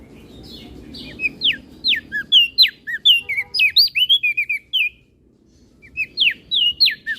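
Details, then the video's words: Crested white-eye from Flores, a master recording for training other birds, in full varied song: rapid, clear whistled notes, many sharply falling or upturned, in a quick jumbled run, a brief pause, then a shorter burst; faint low rumble beneath. "Burung Opior Jambul Flores Gacor Isian"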